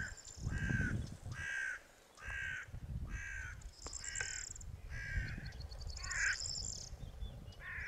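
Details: Greater flamingo (Genti Arrùbbia) giving a steady series of harsh, nasal, goose-like honks, roughly one every second, with high thin whistles from other birds and a low rumble beneath.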